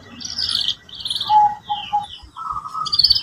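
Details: Singing canary, played to train young birds in arranging song: buzzy high trills, then three short clear whistled notes in a row and a longer mid-pitched trill, with a faint background hum.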